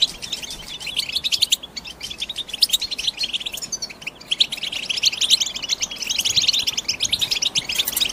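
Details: Batbata song of a European goldfinch: quick, jingling twitters and buzzy trills run almost without pause, with short gaps near the second and fourth seconds before the chatter resumes, rising in intensity.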